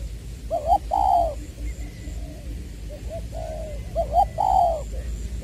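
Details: Decoy spotted dove, Trà Vinh, Vietnam (Long Đức), 22/2/2021, voicing the "giọng tiểu" style: repeated phrases of a quick doubled coo then a long rounded coo, with softer trailing notes between, over a low hum.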